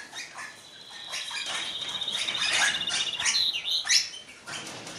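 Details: Captive-bred black rosella split-mutation bird from 2012 breeding, calling in an aviary: a rapid, even chattering trill held for about two seconds, then sharp rising and falling whistled notes, with other bird chirps around.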